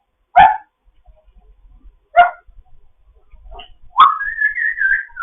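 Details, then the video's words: Foster African grey parrot in morning chatter: two sharp squawk-like bursts about two seconds apart, then a long wavering whistle held steady near the end. "having a morning chat"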